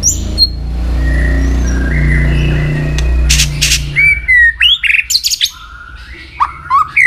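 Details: White-rumped shama trained for song contests; a low humming drone fills the first four seconds, then loud sharp whistled and chattering notes in a rapid irregular burst.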